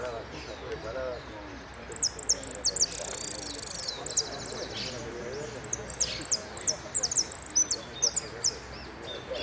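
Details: Hooded siskin singing in the final of a singing contest in Merlo: rapid, very high chirps and thin sliding notes in bursts, with a murmur of people talking underneath.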